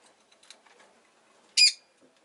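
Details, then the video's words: A single sharp, harsh chirp from a Rosy-faced lovebird, preceded by faint scratchy rustling and soft background noise. "Lovebird Chirping Sounds"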